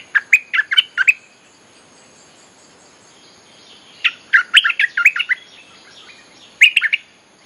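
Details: Bulbul song played to lure wild birds: three bursts of rapid, bubbly, chattering notes, the middle one longest with about eight notes, separated by quiet pauses.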